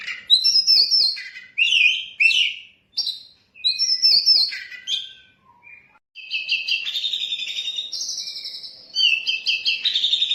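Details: Oriental magpie-robin singing a lavish 'isian' song used as lure and master for training songbirds: bursts of rich whistled phrases and trills separated by short pauses, then a long rapid warbling run in the second half.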